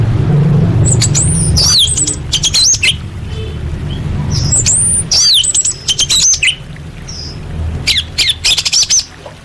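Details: Orange-headed thrush in a masteran tutor recording: very high, thin twittering phrases of quick rising and looping notes, repeated in bursts a few seconds apart, with a faint low hum underneath.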